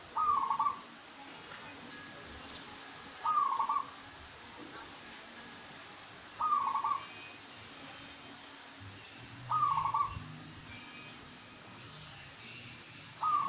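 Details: Local zebra dove in full song: short, bright, stuttered coo phrases of under a second, repeated about every three seconds at an even pace against a soft background hiss.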